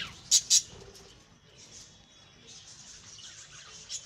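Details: Lovebirds kept and bred in a home: two loud, sharp high chirps in quick succession, followed by soft, faint twittering in the background.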